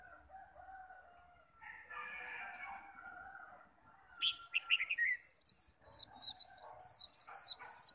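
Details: Japanese white-eye, a caged songbird, singing 'khuyên líu' contest style to draw wild birds: murmuring background for four seconds, then a sharp note and a quick series of high, repeated whistled notes.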